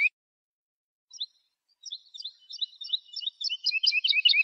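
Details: Lark song used for teaching young birds: after a brief note and a pause, a quick run of high, thin, chirping notes builds steadily louder and denser toward the end, with no other sounds.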